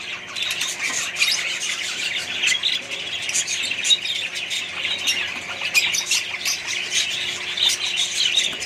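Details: Australian budgies in a mixed-bird colony chatter constantly, with high chirps and raspy squawks layered over each other and occasional louder notes.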